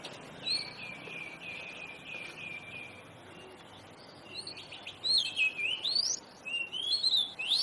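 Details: Kacer, the oriental magpie-robin, in full song: a soft series of repeated whistled notes, then louder, sharply rising and falling whistles in quick succession, with steady background hiss.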